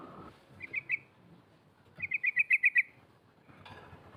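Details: Female yellow-vented bulbul calling out to challenge rivals: two soft chips, then a quick rolling burst of about seven clipped 'cok' notes, heard fairly faintly over a low background murmur.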